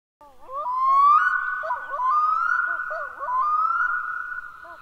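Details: Black-throated Loon calling: a loud, wailing tone that climbs sharply, then holds in long, wavering notes broken by repeated upward lifts; this species croaks and wails in low pitch. Nothing else is heard.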